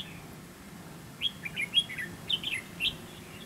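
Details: Red-whiskered bulbul decoy singing in a fighting trap to provoke rivals; after a short quiet start, a run of clear, liquid whistled notes, some upslurred, delivered in two quick bursts.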